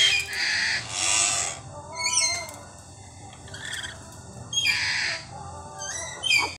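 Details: Many chattering lories at feeding time give loud, harsh, grating screeches in bursts about a second long, mixed with shorter squawks and chirps from several birds calling together.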